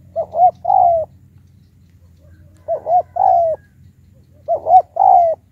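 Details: Decoy spotted dove with a high call, used to face off against wild birds. Three cooing phrases about two seconds apart, each a quick doubled coo then a longer level coo, with a steady low background hum.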